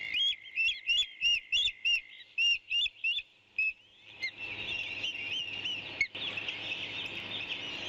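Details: Eagle with its young. About a dozen sharp, high, slightly bent chirps come in a fairly even run, roughly three per second, then give way to a dense, hissing background chorus with a steady high tone.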